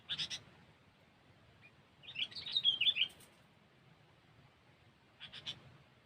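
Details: Sooty-headed bulbul, recorded as a trapping lure, gives one fast chattering, warbled phrase of about a second between faint short chirps at the start and end, amid background hiss.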